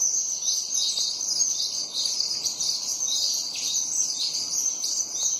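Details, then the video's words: Flock of sparrows chirping nonstop, with many high, short tweets overlapping into a busy chatter over constant background noise. "Sparrows Sounds"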